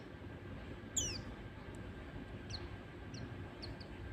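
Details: White-eye lure sound for prompting untrained captive white-eyes to sing: one loud thin whistle sweeping steeply down, then short, high, faint chirps at roughly half-second gaps over a steady low hum.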